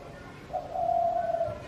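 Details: Spotted dove uttering a single long, low, even coo, rising slightly at its start, against faint background noise.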